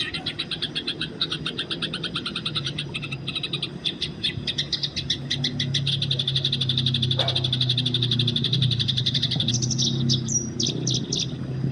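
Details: Wild Eurasian tree sparrows fighting, recorded for training: sustained fast chattering of high chirps for about ten seconds, a single sharp click midway, ending with a whistled note and a few spaced chirps over low rumble.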